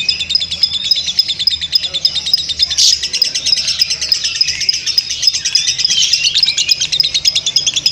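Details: Lovebird giving a long ngekek, a continuous chattering trill of rapid high buzzy notes that runs unbroken for the whole eight seconds without pause.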